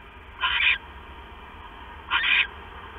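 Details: Owl at night, 6 September 2015, the male bringing the female a mouse; a pair of short hissing screeches spaced about one and a half seconds apart, quiet steady hum in between.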